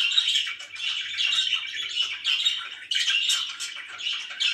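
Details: Very happy pet budgerigars warbling in a steady chattering stream of scratchy, twittering notes, loud and close, with brief bursts of sharper squeaks.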